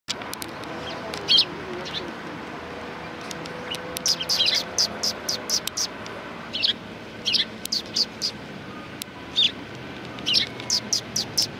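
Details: Sparrows at a Tenmangu shrine in Japan on 1 March 2020 give short, bright chirps in scattered bursts, some closely spaced, over a low steady background hum.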